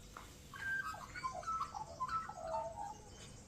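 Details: An Australian magpie sings from the top of a tree in rural Victoria, Australia. It gives a run of clear, fluted whistles and short warbled notes that step up and down, with brief gaps between the phrases.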